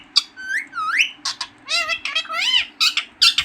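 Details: Green parrot known for talking gives rapid squawks and upward-sweeping whistles, about two to three sounds per second, with a faint hum behind.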